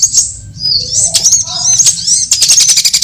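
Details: Sunbird lure recording for trapping birds. High slurred whistles and sharp chirps, with a few lower tonal notes in the middle and a rapid ticking burst at the end.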